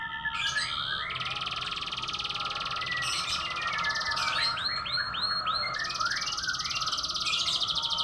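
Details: Domestic canary singing an unusual song: long sustained buzzy trills, steady rolling phrases and a run of quick looping whistled notes in the middle, over a low background hum.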